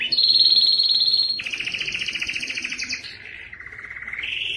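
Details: Canary song recorded for tutoring fledglings and prompting males to sing: a clear high whistled note, then dense rapid trills stepping down through several tours to a low buzzy roll.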